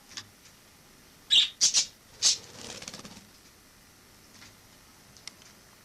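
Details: Wild sparrow that entered a home through a balcony in autumn 2006 and stayed until summer 2007: a burst of four loud, high, clipped chirps within a second, followed by soft rustling, then near silence.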